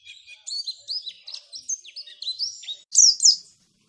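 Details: Oriental white-eye song, a lure for prompting white-eyes to sing: a short phrase of high, clear rising and dipping whistles, ending in two louder, sharper notes before stopping.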